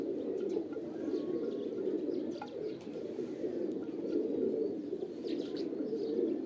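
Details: Steady pigeon cooing, low and bubbling, in a thick continuous chorus, broken by a brief sharp tap midway and light higher twitters.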